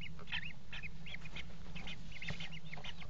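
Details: Common kestrel mating at a water-tower nest box, 5 February 2018: dense, excited twittering of high looping notes, tumbling quickly one after another, with scraping noises and a low background hum.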